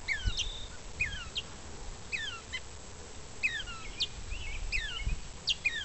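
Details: A banded gray catbird practising its song and mimicking other species sings a halting string of varied squeaky notes and falling slurred whistles, each short phrase about a second apart, over a low background rumble.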